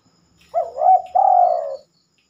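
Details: At night, a spotted dove sings in a quiet setting, something it seldom does. One clean phrase: a rising double coo and then a long, level-to-falling coo, with near silence around it.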